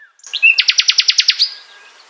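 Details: Common Nightingale singing in Poland: a brief whistle, then a rising pure note leading into a loud, rapid train of about ten identical clipped notes, ending on a drawn-out whistle that fades away.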